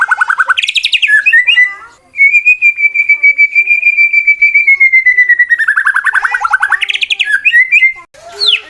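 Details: Male white-rumped shama in fighting song to provoke other shamas: a quick trill, then a long steady whistled note held for several seconds and gently falling, ending in another rapid trill.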